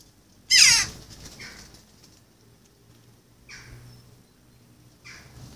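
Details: Young Western jackdaw, found by neighbours and raised in a garden among rabbits and dogs, now independent but begging while being fed by its human carer: one loud, harsh, rasping cry, then two fainter, shorter calls about three and four and a half seconds later.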